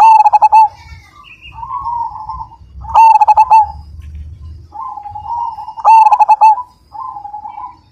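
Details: Majapahit-strain zebra dove, a big-voiced and prolific singer: three loud clusters of quick stuttered coos, roughly three seconds apart, with soft rolling coo phrases filling the gaps.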